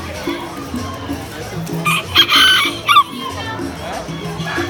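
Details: Giro plata fighting-type rooster crowing; a short strained crow rises and breaks over about a second, heard over loud background music with steady low beats.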